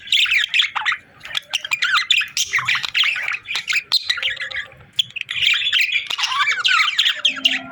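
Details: Happy parakeets chirping: flowing, scratchy warbles and squeaks in long runs, one short lull near the middle, then dense chatter resumes.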